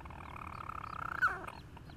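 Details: Nesting European storm petrel on Ramsey, an adult singing with its chick nearby, 31 July 2016; a steady purring churr rises and ends in one abrupt hiccuping note near the end.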